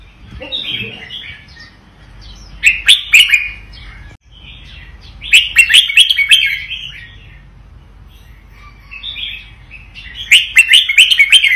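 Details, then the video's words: Red-whiskered bulbul of Vietnamese stock giving its doubled 'boen' song: three loud bursts of quick, ringing, warbled notes separated by softer twittering pauses of a few seconds. "นกกรงหัวจุกเวียดนาม ร้องเบิ้ล!! ร้องมัน"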